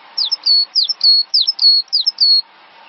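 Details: Cinereous tit song for training songbirds: four paired phrases, each a quick high chip followed by a longer whistle that dips and then flattens, delivered evenly over about two seconds with a faint room hum beneath.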